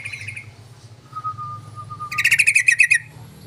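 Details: Yellow-vented bulbul lure call, used to draw other bulbuls into answering: a brief bubbly burst of bright notes, a thin steady whistle held for about a second, then a fast chattering run of sharp repeated notes; faint low hum beneath.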